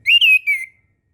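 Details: A single clear, slightly wavering whistled phrase from orange-headed thrush song, used to train young birds just learning to sing, ending in quiet.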